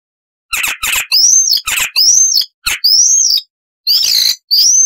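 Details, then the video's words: Icterine warbler song with loud, varied, mimicking phrases: after a quiet start, harsh buzzy notes alternate with clear high rising whistles, each phrase separated by short gaps. "Icterine Warbler (Hippolais icterina)"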